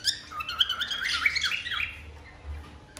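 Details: Cockatiel in full breeding mood making its mating call, a quick run of wavering, looping notes with sharp chirps, trailing off into quiet after two seconds.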